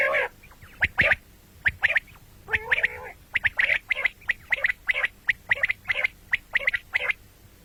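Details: Common quail calling, heard morning and night: sharp, clipped notes often bunched in quick twos and threes, repeated steadily, with some lower nasal, buzzy calls mixed in near the start.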